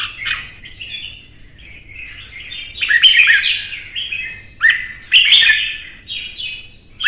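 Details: Red-whiskered bulbul, a Vietnamese cage bird, in a hot singing match: soft, wavering warbled phrases swelling into loud bursts headed by sharp clicking snaps, with brief lulls between.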